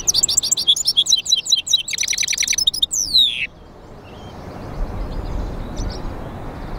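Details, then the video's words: Goldfinch × canary mule, a hybrid finch, singing: a fast run of bright chirped notes and trills, then a sweeping whistled note near three seconds, fading into quiet background hiss. "European Goldfinch mule singing | Jilguero Mixto"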